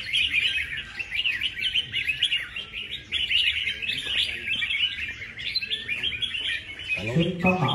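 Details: Competition red-whiskered bulbul, never yet missing a prize, heard in a busy stream of quick, lively chirps and short warbling phrases amid other similar songsters, with a man's voice breaking in near the end.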